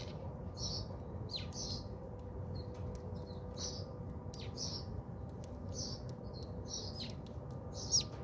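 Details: House sparrows bathing at a home in South Africa, giving short bright chirps in a loose, irregular series over steady low background hum.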